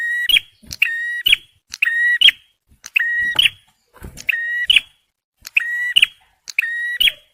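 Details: Male bar-winged prinia recorded to lure birds and prompt stressed ones into singing. Paired phrases come steadily, each a brief click, a sustained ringing tone and a sharp, bright ending note. Short silent gaps fall between them.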